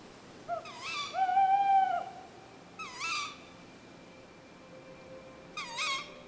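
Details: Tawny owl giving three harsh, wavering, nasal calls spaced a couple of seconds apart, with a faint steady tone in the background, at night in a pitch-black local forest in winter.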